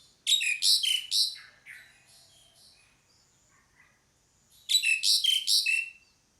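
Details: Pied myna call: a string of harsh, buzzy notes trailing into softer scratchy ones, then after a pause another burst of four or five rasping notes.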